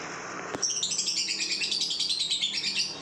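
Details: Lovebird aged two months singing a long ngekek: a brief click, then a dense, fast-pulsed high chatter held for over two seconds with no break.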